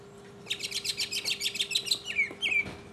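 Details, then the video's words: Mockingbird singing solo in 2015: a fast burst of repeated bright chirps stacked high, then two clear slurred whistles dropping and rising near the end, with a steady low hum underneath. "mockingbird Solo"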